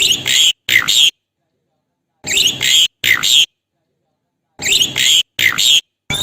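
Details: Javan pied starling calling its mate in lively, sustained voice: harsh, buzzy bursts with whistled notes, in pairs of half-second phrases, separated by clean silent gaps.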